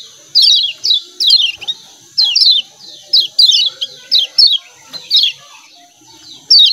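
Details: Lemon-bellied white-eye giving 'ciak ciak' calls: short, sharp, descending chirps in quick pairs and clusters, repeated about once a second with irregular gaps, over a steady high hiss.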